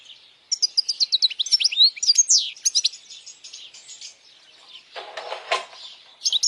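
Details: Strong European goldfinch song for young goldfinches to memorize and to attract females: lively high twittering and tinkling chirps, then a rougher buzzy passage and a last short twitter.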